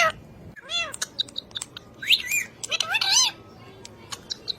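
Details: Talking ring-necked parakeet producing squeaky, nasal speech-like phrases with stacked harmonics, a few arching wavering syllables and short sharp clicks between them, over faint background music.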